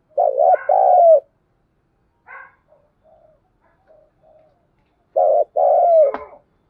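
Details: At dawn a spotted dove gives thúc gù cooing: a paired coo, then faint soft notes in a quiet gap, then another short-then-long coo pair. A sharp click sounds near the end.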